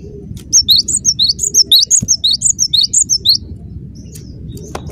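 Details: Cinereous tit singing a long, dense phrase of about fourteen high, sharp whistled notes, alternating rising and falling, delivered rapidly without a break over a low constant rumble.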